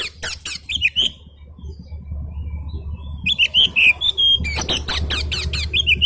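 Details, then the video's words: Oriental magpie-robin answering an agitated rival: quick high chattering trills and short sweet whistled notes in fast irregular sequence, a brief pause midway, steady low hum behind. "Kacer bisu? auto nyaut dengar suara Kacer emosi ini"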